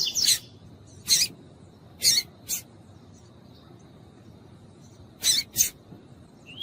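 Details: A female lined seedeater (Sporophila caerulescens) calls to warm up a male, giving short, very high sharp chips. They come singly or in quick pairs, about one a second with pauses, over a faint steady high whine.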